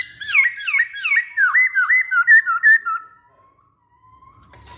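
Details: Masked laughingthrush singing a rapid run of clear whistled notes, each swooping down then up, about three per second. The notes speed up and soften before fading to quiet, with a soft thump at the end.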